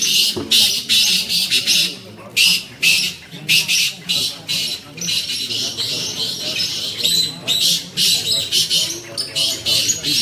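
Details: Kept in the UK, a black francolin (kala tetar) repeats harsh, noisy rasping notes in tight clusters, pausing briefly between phrases; soft indistinct talking lies beneath.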